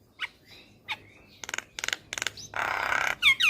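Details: Javan myna (jalak kebo) song used as a lure to get young birds singing: varied medley of short whistled notes, rapid harsh rattling bursts, a loud raspy noisy note and sharp upslurred whistles at the end.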